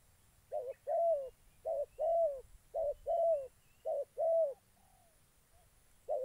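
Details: Decoy spotted dove in Gia Lai, Vietnam, calling during trapping of wild doves: soft, hollow coos in short-then-long pairs, three pairs in quick succession, then a pause and a fainter trailing note before the next coo.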